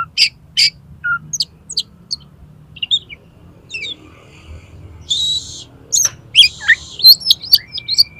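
Oriental magpie-robin song: a varied run of sharp high whistles, rasping buzzy bursts and chattering notes, irregular in pace, over a faint low hum.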